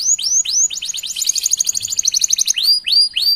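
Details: Canary singing to prompt other canaries, with upward-sweeping whistles, a fast pulsed roll in the middle, and more rising sweeps at the end.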